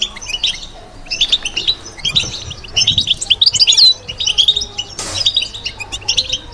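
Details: Caged European goldfinch, batbata style: bursts of high tinkling and buzzy twitter separated by brief pauses, a sudden sharp click about two thirds through, then softer chirping.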